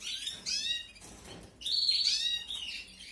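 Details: Canary chicks begging while being fed in an aviary breeding setup in 2021: two bursts of high, harsh, rasping chirps with stacked harmonics, the second louder and longer, separated by a quiet gap.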